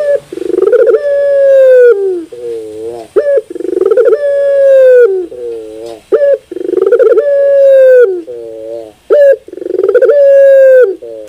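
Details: Collared dove (puter bird) song, used as sound therapy to prompt a caged bird to sing: four repeated phrases of a brief clipped note, a rapid pulsing stutter and a long level coo that drops off, each nearly three seconds apart.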